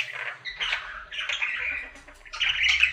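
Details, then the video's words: Pet budgerigar, a male, in his daily singing routine: a quieter, patchy warble of scratchy chirps and buzzy notes with short gaps, growing louder toward the end. "Budgie singing for 1 Hour Happy song!"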